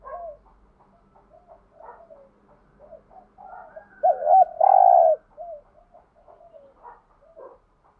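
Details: Spotted dove used to excite other doves. Many soft, low, scattered coos surround one loud phrase of two looping notes and a sustained purring coo in the middle.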